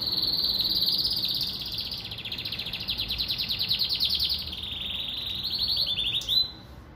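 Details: Singing pintagol, bred from a Venezuelan siskin and a female Belgian canary: a sustained, high, rattling trill that speeds up and slows down over six seconds, ending in a brief upslurred note and a sharp click.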